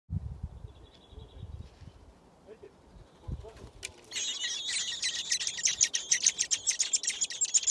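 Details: Six thrush nestlings in a garden nest, filmed by a camera set up beside it during feeding. A few quiet seconds with low rustling, then a sudden burst of dense, high, rapid chirping from the open-mouthed chicks.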